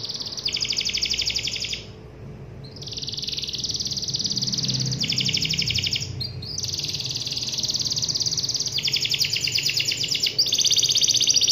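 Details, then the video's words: Canary calling to a rival with loud, sustained high buzzy trills in long phrases separated by short gaps, with low background rumble. "suara burung kenari gacor memanggil lawan"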